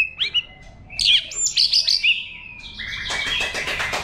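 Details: White-rumped shama in wild-type song meant to stimulate birds: a few rich whistled and warbled phrases, followed by a harsh rustling, scratchy noise filling the last second.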